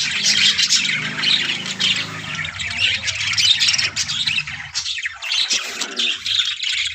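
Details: Budgerigar breeding colony calling constantly, with scratchy squawks and twitters overlapping above a steady low hum.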